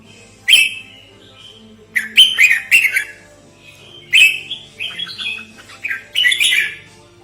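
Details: Red-whiskered bulbul calling in a lure and training recording: squeaky, rising notes grouped into short phrases of two to five notes, separated by brief pauses, with a constant low hum behind.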